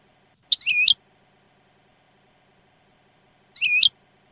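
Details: Two brief bright twittering notes from a European goldfinch, about three seconds apart, each a quick rising and falling high chirp.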